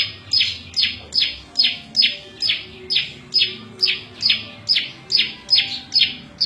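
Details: Prenjak lumut prinia song, a varied sequence suited to tutoring caged birds and attracting wild birds: crisp descending chips, each falling quickly, repeated at a brisk, fairly even pace of about two per second.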